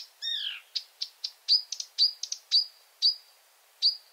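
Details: A Marsh Warbler sings at night in Finland: a downslurred harmonic note, then a rapid series of sharp clicks and bright whistled upslurs that slow toward the end.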